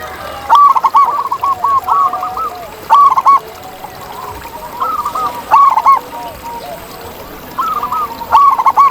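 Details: Zebra doves singing in the wild: repeated rapid phrases of short, looping coo notes, loud and clear, returning every two to three seconds, with fainter answering coos from other doves.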